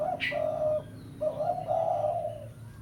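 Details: Spotted dove, a lure call meant to draw a rival, with a short coo and a long level coo, then a rising two-part coo, and a brief higher chirp near the start.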